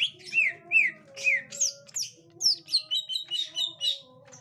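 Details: Gotri green leafbird's behaviour on meeting a young wild green leafbird: sharp down-slurred whistled notes repeated about once a second, rising into a quick high twittering run, a low hum beneath.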